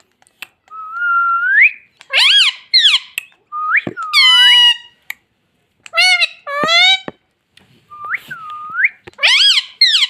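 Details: Pet green ringneck parrot in a small room repeating mummy over and over: whistled rising syllables and harsher two-note words follow one another quickly, about a dozen utterances in ten seconds.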